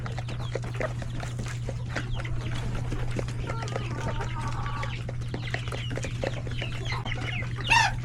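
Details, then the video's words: Lunch time bustle in a chicken coop with roosters and many chicks: steady clucking and peeping, a short wavering call in the middle and a loud rising squawk at the end, low hum throughout. "Chicken coop with many babies."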